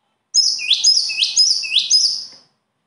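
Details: A bird sings three quick, high, repeated phrases over about two seconds. Each phrase is a bright whistle that drops and then sweeps upward in a buzzy rise. The background is quiet.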